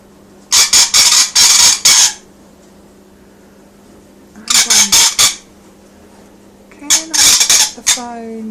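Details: Happy pet rainbow lorikeet indoors, producing three long volleys of rapid, grating screeches, the first lasting over a second, followed by a brief whistled rising tone and soft human voice near the end.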